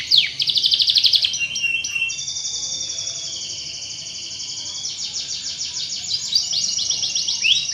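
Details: Lure song of a canary meant to prompt others to sing: a quick rattling trill, then a long, steady high whistled tone lasting a few seconds, then renewed rapid trills.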